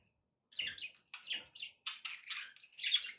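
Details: Pet budgerigars chattering: a rapid series of short, scratchy chirps and squeaky notes, separated by brief pauses, beginning after half a second of silence.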